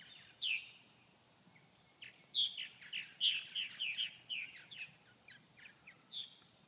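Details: Several purple martins in Grand Forks, North Dakota, sitting quietly through 39°F cold with no insects to catch; loud burry chirps, one alone then a quick series of gurgling notes, fading to scattered calls.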